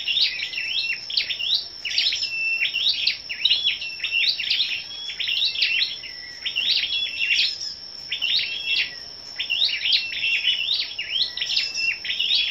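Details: Scarlet-backed flowerpeckers gathered for competitive singing on the morning of 10 May: regular, rapid series of very high, sharp tsip and tick notes with short flat whistles, repeating in bursts throughout, over a steady thin background whine.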